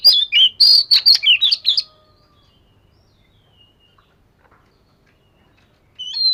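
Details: Fish-scale Oriental magpie-robin training its voice with a rapid two-second volley of about ten sharp, varied whistled notes. About four seconds of near silence follow, then a single rising whistle returns.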